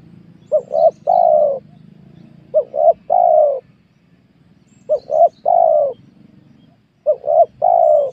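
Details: Spotted dove cooing while wild doves are lured at a small oil palm plot on newly worked land: four phrases roughly every two seconds, each two short low notes then a longer falling coo, over faint low rustling.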